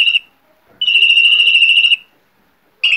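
A Spanish Timbrado canary gives its timbre tour: a high, steady, metallic trill like 'ri-ri-ri', in bursts of about a second between short pauses.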